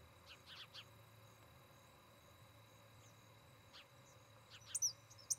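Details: At a Charlo, Montana osprey nest, captured by a nest camera on 17 August 2018, the osprey gives scattered high, clipped whistled chirps, some doubled, while tiny high twittering from another bird comes in at the close over faint hum.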